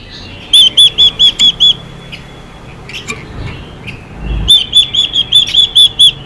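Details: Female Chinese hwamei giving a xùy call meant to excite male hwameis into singing: a run of six loud, arched, clear whistles repeated quickly, a quiet gap with faint chirps, then another fast burst of similar whistles.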